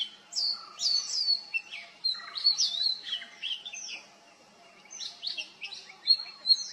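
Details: Oriental magpie-robin mimicking other birds: sequences of high whistles and downslurred notes with buzzy elements, a brief pause, then renewed whistled phrases.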